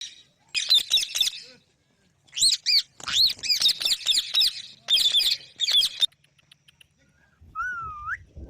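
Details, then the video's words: Green parrots giving loud, harsh, high squawks in quick bursts, several clusters of sharp calls separated by short pauses, ending with a single rising whistled note. "Beautiful Green Parrots Talking | Funny Parrot Sounds"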